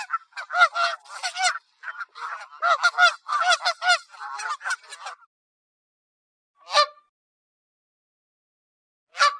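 Canada geese give loud, nasal honks in a rapid overlapping burst for about five seconds, followed by two single honks after pauses.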